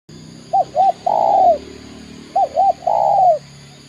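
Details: Spotted dove in Indonesia, known locally as tekukur, giving two loud cooing phrases: two short hooked notes followed by a longer drawn-out coo falling at the end, about a second and a half apart.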